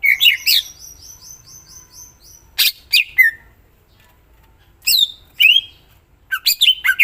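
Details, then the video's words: Greater green leafbird singing twisting whistled phrases and sharp chips, with a series of thin repeated rising high notes, then more spaced bursts of loud whistles. "Cucak ijo mana Saja akan ikutan bunyi dan gacor dengar c ijo ini bongkar isian full"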